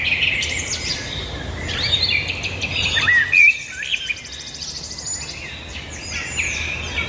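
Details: Multiple birds singing at once, with rapid high chirps and buzzy trills followed by a few loud whistled notes, then a softer chattering chorus.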